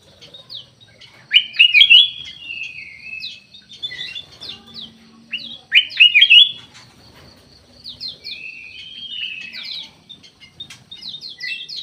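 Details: Black-capped bulbul (kutilang emas) kept in an aviary: two loud, rapid, warbled phrases of slurred notes, about four seconds apart, among softer high chirps and ticks from other birds.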